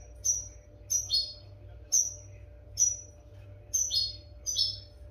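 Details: European goldfinch, song used to train captive goldfinches to sing without faults: short bright twittering phrases, high and tinkling, repeated about once a second with brief pauses, over a faint steady hum.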